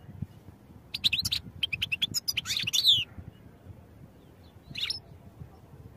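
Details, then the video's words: European goldfinch song for training: a quick run of sharp high ticks and liquid twitters ending in a short buzzy flourish, then a lone chirp after a pause, with low background hum. "Goldfinch Songs for Training"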